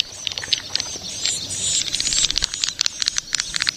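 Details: Young swiftlets make irregular, crackling high clicks and short chirps over a thin whining tone, with a busy, slightly noisy background.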